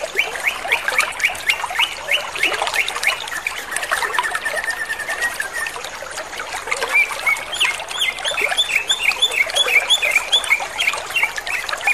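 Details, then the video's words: Greater green leafbird pouring out a fast, unbroken song of chattering, whistled and mimicked notes in a quick mid-to-high jumble, with no pauses. "CUCAK IJO TROTOL GACOR DOR"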